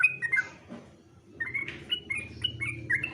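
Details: Sooty-headed bulbul competition song in short broken phrases: clipped whistled notes with a low hum underneath.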